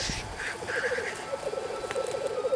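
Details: Black grouse at a spring lek in a valley field in the Pennines, where males fight to impress females: several males give a steady, low, rapid, dove-like rolling bubbling coo that overlaps without a break, with a few fainter hissing notes above.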